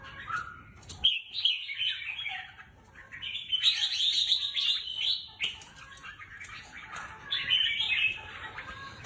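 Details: Competition-bred red-whiskered bulbul in captivity sings lively, fast warbled bursts, a quick high trill, then longer rolling phrases with rapid chattering notes, pausing briefly between strophes.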